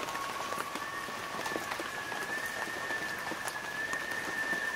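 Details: Loon giving a long, drawn-out wailing note that starts lower, steps up, and holds steady, faint beneath a constant patter like rain.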